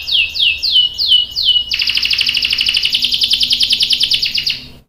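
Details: Canary singing loudly, with a young male answering: five quick descending slurred notes lead into a long, rapid, ringing trill that holds steady for about three seconds and then stops sharply.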